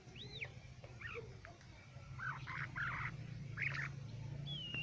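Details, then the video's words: Crested lark, a local bird from Quetta, singing: scattered short chirps and slurred whistled notes, some rising and falling, in loose bursts over a steady low hum. "quetta local crusted lark birds singing کوئٹہ لوکل جل کی آواز"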